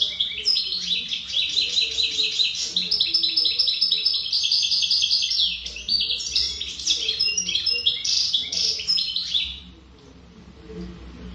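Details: Wild-type (khaloui) European goldfinch in sustained song: a fast, continuous stream of high twitters, trills and nasal buzzes running almost ten seconds before stopping abruptly, with low background hum.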